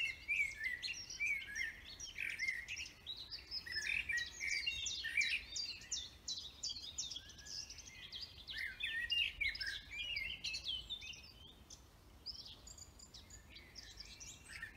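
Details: Continuous forest birdsong, many overlapping rapid chirps and twitters in repeated bursts that fade slightly toward the end.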